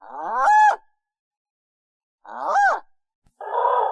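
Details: Pelican heard near the coast giving two drawn-out nasal moans that swell then fade, followed by a shorter rough grunt, separated by a pause of about one and a half seconds.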